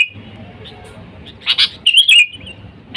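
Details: Bulbul lure sound, sooty-headed bulbul calling wild birds: a long quiet stretch with a faint thin note, then a loud double chirp and a bubbly falling warble, one more chirp at the end.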